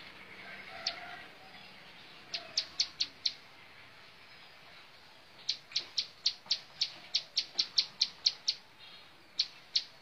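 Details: Bar-winged prinia (ciblek sawah) giving bursts of high, clipped ticking notes: a short run of four, a pause, then a longer rapid string of about a dozen, and two final notes.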